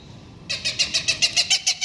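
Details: A very vocal Cooper's hawk on top of a building in an apartment complex gives a harsh, rapid cak-cak-cak, about seven hoarse notes a second after a brief quiet start; it later flies at the recorder to scare them off.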